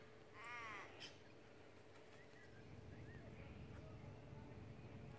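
A cockatoo gives one harsh, raspy screech, followed by a few faint, short whistles from other birds over a steady background hiss.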